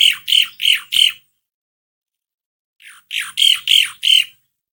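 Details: ['Asian pied starling, recorded as a lure to make another bird sing, giving two groups of four short, squawking, rasping notes in rapid rhythm, separated by silence.']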